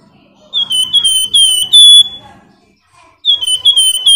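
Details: A flamboyan sings a gacor lure phrase to spark singing in other birds: a run of clear, high whistles with slurred upward and downward slides, a long shrill note, a pause, then the phrase starting again.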